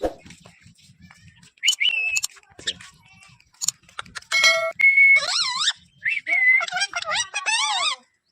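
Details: Ring-necked parakeet talking as a greeting: shrill, speech-like bursts and bending whistled syllables, several rising and falling phrases with short pauses, ending in a wavering high chatter.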